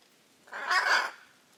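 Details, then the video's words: Hyacinth macaw of the Brazilian Pantanal uttering a single harsh, rasping screech lasting about half a second. "The raucous sounds of Hyacinth macaws"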